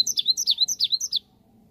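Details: Cinereous tit song used as a lure that birds answer at once. A quick, even run of about ten bright, high, down-slurred whistled notes lasts just over a second, then stops.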